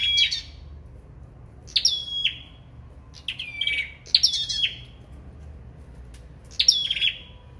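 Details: Five bright phrases from a sâu đầu đỏ in a singing duel. Sharp, piercing onsets slide down into short sustained whistles, separated by gaps of about a second. No other sounds stand out.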